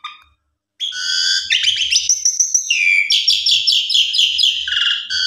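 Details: Javan pied starling in vigorous lure song: after a short silence, a dense run of whistles gives way to a rapid series of repeated, rhythmic chattering notes, about two per second.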